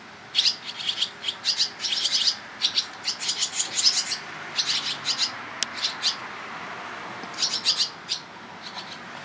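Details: Barn swallow nestlings begging as parents come and go feeding them, Toronto, Ontario, Canada, July 11, 2010: dense bursts of high, scratchy chirps crowding together, tapering off, then a fresh flurry near the end.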